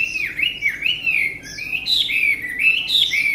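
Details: Chinese hwamei kept as a caged songbird, pouring out a continuous, strong whistled warble that swoops up and down in smooth loops with no breaks.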